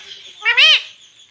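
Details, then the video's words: Pet parrot, called mitthu, said to be talking and saying mummy and papa; one short, harmonic, arching voiced sound rising and falling, over a faint background hiss. "Parrot talking mummy Papa"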